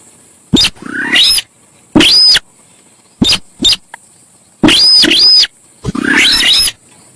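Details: Noisy, chattering song of a Javan pied starling (sintar sawah) on a lure recording: loud grating phrases with rising sweeps and high whistled arcs, interleaved with clipped short notes, in rapid irregular succession.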